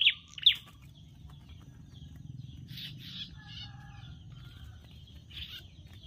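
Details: A prinia (prenjak) fighting fiercely near lemongrass while being lured for trapping: two sharp, high chirps, then scattered thin buzzy notes over a steady low hum.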